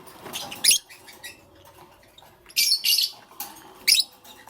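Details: Morning lovebird chirping: three or four brief, piercing, high squeaky bursts spaced about a second apart, with softer twittering between them.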